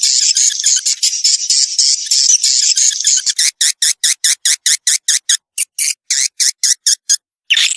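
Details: Swiftlet lure sound from 2021 aimed at young birds and a new nesting building: dense high chatter at first, giving way to a fast, even series of sharp clicks about two or three per second.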